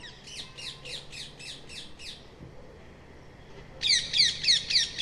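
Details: Rose-ringed parakeet giving rapid series of harsh, screechy notes, about three or four per second, a softer run of seven followed by a louder, sharper burst of screeches.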